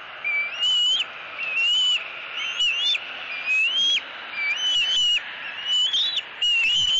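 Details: Eaglet squeeing at its mother for fish at a Southwest Florida eagle nest, 3 April 2018. Rising whistled squeals roughly once per second, alternating with loud broadband rustles from movement in the nest.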